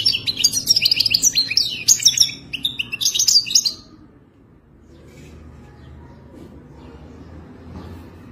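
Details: Moroccan goldfinch, Wadani song type: nearly four seconds of rapid, jangling twitters and metallic trills, then the bird falls silent, leaving only a low steady hum.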